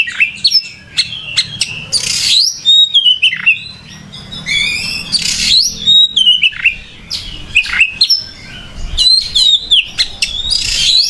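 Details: Singing oriental magpie-robin (kacer) delivers a long, varied sequence of bright whistles, downward-sweeping notes, rapid clicks and buzzy rasps, phrases separated by short gaps.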